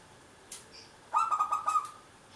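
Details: Zebra dove of local stock, singing eagerly, used as a lure bird. After a faint click, a short, loud phrase of quick stuttering, buzzy coos rings out and then stops.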